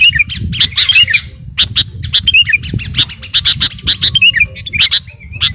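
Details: Sooty-headed bulbul of the kutilang garuda type calling out to a rival in full voice: rapid harsh squawky notes mixed with small looping whistles, delivered in a steady stream of clipped bursts.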